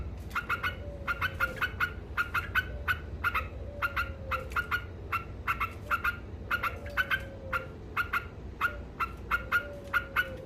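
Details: Continuous 'ngekek' chatter from a yellow-vented bulbul, meant to provoke rivals: dense runs of crisp, clipped double notes, with faint gliding whistle-like tones and a steady low hum below.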